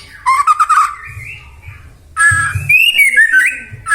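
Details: White-rumped shama in full 'gacor' song, used as a lure to excite other shamas into singing: a burst of rich, trilled whistles, a pause, then loud rising and falling whistled phrases with bright overtones.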